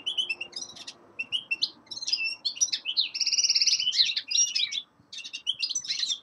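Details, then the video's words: Young male linnet in winter singing a lively chain of chirps and twitters, with a drawn-out buzzy trill in the middle and slurred whistled notes. "Песенка Реполова Коноплянки song of Carduelis cannabina"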